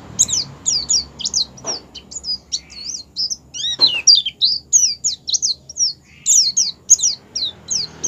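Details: Oriental white-eye (pleci) singing ngerol sambung ngalas style, a lure for getting white-eyes to open their beaks and sing. Continuous rapid stream of very high, thin, twisting whistled notes, several per second, with two brief clicks.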